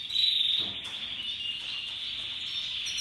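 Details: Canaries of Russian yellow and Timbrado stock singing: a brief, dense, high rolling trill held steadily, opening with a thin whistled note.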